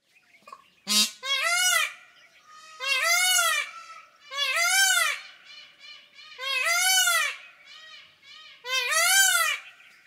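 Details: Indian peacock gives five loud, nasal, wailing calls, each rising then falling, roughly every two seconds, with softer calls in the gaps.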